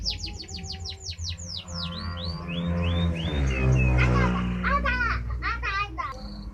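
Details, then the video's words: Canary song opening with a rapid series of sweeping downslurred whistles that slow and drop lower, then clusters of looping notes and a short high trill, against a loud low background rumble. "Canary badai"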